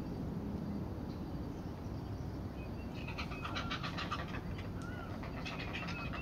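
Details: Heron chicks being fed by their mother amid beak biting: after a quiet start, rapid rattling ticks burst out in the second half, with thin whistled chirps from other birds and steady low rumble behind.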